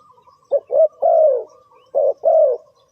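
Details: Spotted dove cooing, used as a lure for bird trapping: two mellow low phrases, each a short clipped note followed by a drawn-out, slightly falling burred coo, over a faint steady background hum.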